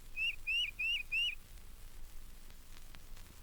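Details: Tufted titmouse, a regular visitor to bird feeders at Mountain Lake Sanctuary, Lake Wales, Florida, from a 1970 record: four bright, slurred whistled notes in quick succession, then quiet background hiss.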